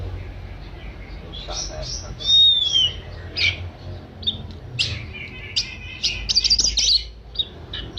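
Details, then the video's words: Oriental magpie-robin (kacer) singing in the pampered 'manja' style: a clear falling whistle, then scratchy chattering notes and bright high trills over a steady low hum. "Kicau kacer manja"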